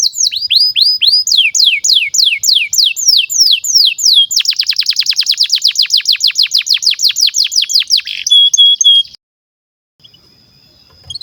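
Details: Long domestic canary song meant as a master for juvenile canaries: repeated descending whistled sweeps, then a rapid dense trill of many short notes, ending abruptly before near silence.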